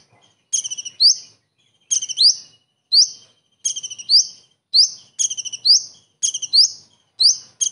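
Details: Kingfisher imitation sung by a Common iora for training other songbirds: repeated phrases of rapid staccato pulses capped by a sharp rising whistle, roughly every second with short silences between.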